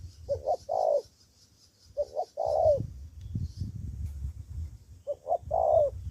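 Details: Spotted dove used as a decoy in Cà Mau, Vietnam, answering rivals: three two-note-plus-long-coo phrases, the last trailing downward, with a low rumbling noise filling the gap between phrases.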